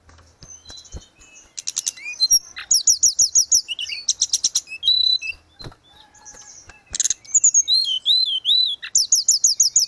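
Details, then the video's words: Gacor grey-cheeked bulbul song used to tutor caged birds. Busy high-pitched phrases: rattling buzzy bursts, fast repeated ringing notes, a few slurred whistles, with short quieter gaps between bursts. "Terapi tledekan gunung _gacor"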